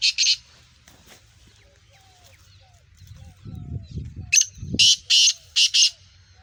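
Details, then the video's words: Black francolin (Sindhi Kala Teetar, Speeder type, Gangas Sheedi cross, nasal voice) gives a harsh note, then after a pause of low rumbling murmurs a rasping series of four grating, buzzy syllables delivered rapidly near the end. "Speeder Kala Teetar Gangas Sheedi cross Nasal Black Franclion Voice Sindhi Teetar"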